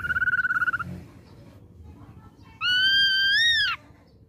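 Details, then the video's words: Ashy drongo lure song to provoke a response: a quavering trilled whistle, a pause with faint sounds, then a long loud whistled note, slightly wavering and rising before a sharp fall. "Pancingan Ampuh Srigunting Abu Bakalan Respon"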